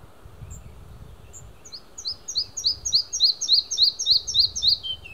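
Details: A singing male red-breasted flycatcher at Hunneberg Nature Reserve, Västergötland, Sweden, on 5 June 2015 gives a bright, accelerating series of high notes, about three per second, ending in a brief falling trill, with faint rustling underneath.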